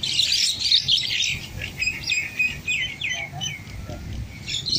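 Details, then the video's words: Bulbuls fighting: busy, overlapping sharp chirps and short scratchy notes in quick irregular bursts, dense at the start and resuming near the end, over faint background noise. "Fight of Bulbul"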